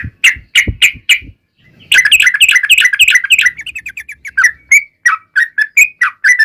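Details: Lure song of a yellow-vented bulbul, ropel panjang style, to set other bulbuls singing: a few loud whistled notes, a brief pause, then a dense burst of quick bubbly chatter that slows into spaced, slurred whistles.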